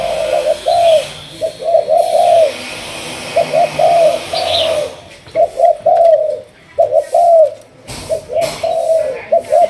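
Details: 'Thúc gù' line spotted dove from Malaysia in decoy training, cooing in repeated short-long pairs throughout, over a steady background hiss with a brief high chirp early on.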